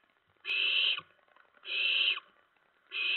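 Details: Owlet in a nest around 2 AM, 10 September 2017, amid mouse and rat deliveries; long harsh hisses of about half a second, one every 1.5 seconds, over quiet background.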